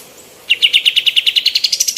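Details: Female white-eared bulbul, recorded for training other birds: a rapid run of sharp, high chirps, about eight per second, climbing steadily in pitch and speeding up slightly over two seconds against a quiet background.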